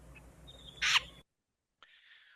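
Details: Wilson's Snipe gives its sharp scaipe flush call: a single harsh, rasping note, then a second raspy sound after a short pause, over faint background hiss.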